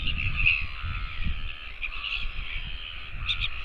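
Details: A Northern royal albatross, recorded 16 August 2024, gives a harsh, raspy, drawn-out call that holds steady for several seconds over a low rumble of wind.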